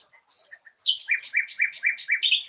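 A nightingale opens with a thin high whistle, then delivers a rapid run of six rich, chopping notes, about four per second, bright and ringing.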